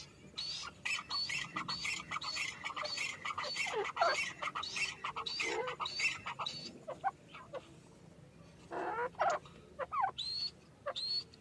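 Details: Grey francolin calls: rapid, raspy, repeated notes at moderate loudness over a hissy background, growing sparser toward the end with a few separate squawks.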